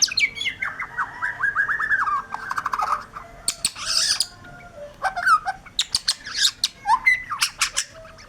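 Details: White-rumped shama in full, lively song: a run of rapid descending notes, then scattered sharp whistles, rattling bursts and high chips in varied phrases.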